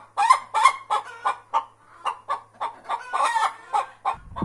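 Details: Two hens competing for the same spot in a tractor, apparently to lay eggs: a steady series of loud, nasal clucks, about three per second, uneven in spacing, with a short low thump at the end.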